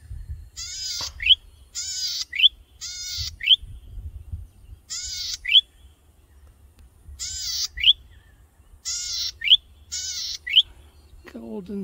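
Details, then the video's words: Golden-headed cisticola, a male in breeding plumage atop a tall grass stalk, singing for a mate: repeated buzzy rasps each ending in a bright rising whistle, about seven phrases at irregular intervals, with a low background hum. "Golden--headed Cisticola Calls for a Mate"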